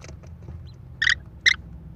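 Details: American kestrel nest in Wisconsin, May 13, 2021, the mother arriving with prey for her four chicks and caught on a nest camera: two loud rasping, scratchy calls about half a second apart over a low hum.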